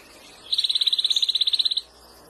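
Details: Canaries of different colours sing; one rapid, even trill of about twenty pulsed notes near one pitch runs for just over a second, starting and stopping sharply, over a quiet background.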